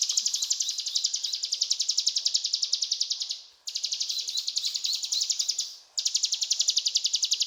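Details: Ciblek gunung in full cetrakan song: a dense, buzzing rattle of rapid high notes, about 222 per minute, held for several seconds and cut by two brief gaps.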